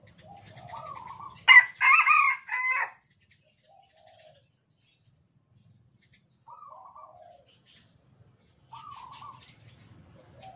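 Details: Caged Sumatran Red Junglefowl crowing back and forth with cagemates that never fight. One loud, raspy, segmented crow dominates. Softer, distant crows answer before and after it across about ten seconds.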